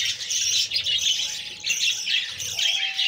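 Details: Budgerigar babies being fed by the female, giving a continuous scratchy, squawking chatter. Faint steady whistle-like tones drift through the background.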